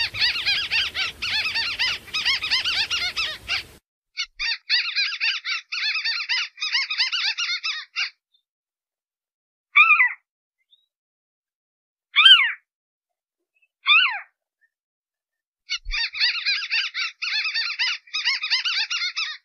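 A crake gives loud, dry, rapid rattling trills broken by a few sharp downward-sweeping notes.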